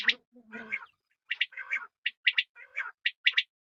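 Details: Quail voices: rough, buzzy, broadband notes alternate with short sharp high-pitched doubled notes, with a low grating sound near the start, in a quick uneven sequence.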